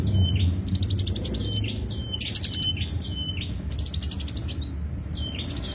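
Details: Greater green leafbird lure song: bursts of rapid, buzzy high chatter alternating with short whistled slurs, repeated several times in a row over a low background rumble.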